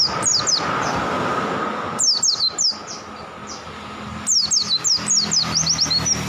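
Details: Gacor pleci (white-eye) singing in ngalas style, repeated strings of piercing high notes that each slide downward, delivered in clusters separated by short pauses, faint background drone.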